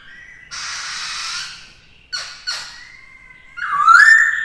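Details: Black-throated laughingthrush (khướu bạc má) singing during a young bird's training. A long harsh, hissing rasp, two short scratchy notes, a thin level whistle, then a loud rising, slurred whistle at the end.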